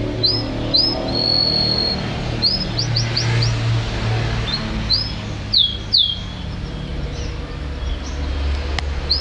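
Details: Yellow canary producing scattered short chirps, a held whistle and quick upswept notes, some descending slurs, against a steady low-pitched background rumble.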